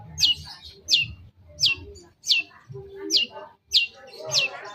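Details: Long-tailed shrike lure recording made to draw a reply: quick falling whistled notes repeated about every 0.7 seconds, with a faint low hum in the background.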